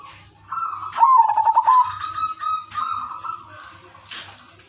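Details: Udanmas silver zebra dove with a melodious lure song to set other doves singing; a quick series of throbbing coo pulses, followed by a long smooth sustained tone and a short final note.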